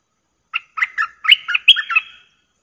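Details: Streak-eared bulbul kept in a cage, used as a trapping lure, 19 September 2021: one bright, bubbling run of about eight quick slurred notes. It climbs a little in pitch and fades out after roughly one and a half seconds.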